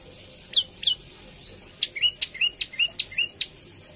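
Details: Javan tailorbird singing varied phrases: two sharp high notes, a short gap, then a quick series alternating piercing high clicks with slightly lower slurred whistles.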